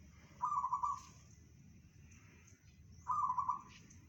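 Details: Local zebra dove (perkutut) singing in the 'bedah karang' style: two short beaded, rolling coo phrases, each about half a second, separated by a pause of over two seconds, over a steady low rumble.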